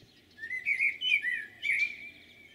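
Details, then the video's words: Common blackbird song recorded 11 June 2022 at Jūrmala: a mellow, fluting warble in two short phrases sliding up and down, with faint higher twittery notes over a quiet background hum. "Blackbird's song"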